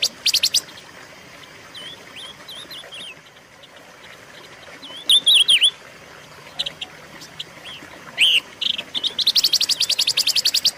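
Silver-eared mesia: thin, bright whistled phrases that rise and dip, broken by quick dry rattling bursts and a fast chattering run at the end.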